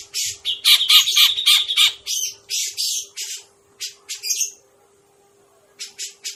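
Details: Grey-cheeked bulbul call used as a trapping lure: harsh, squawky bursts of high scratchy notes in uneven clusters, some with clearer whistled tones mixed in, followed by a pause and short rasping chirps, with a faint steady tone beneath.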